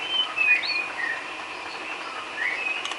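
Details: Filler song of a White-rumped shama, used to train cage birds: a quick run of short, bright whistled notes at the start, a pause, then a couple more brief whistles against low background noise.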